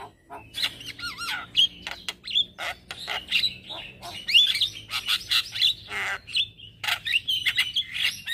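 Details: Morning song of a male black-winged starling, used as lure and tutor for other starlings: dense mix of harsh chatters, clicks and warbled whistles, with a faint low hum beneath.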